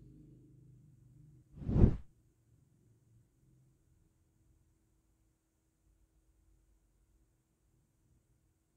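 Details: A low hum and faint rumble, then a single dull thump, followed by near silence for the rest of the recording.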